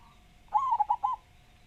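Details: One clear zebra dove song phrase from a local perkutut: an extended wavering coo followed by three crisp rounded notes, over a low steady hum.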